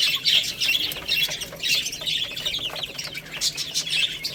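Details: Several baby chickens eating rice, giving dense overlapping high-pitched peeps and chirps, with constant soft pecking clicks throughout.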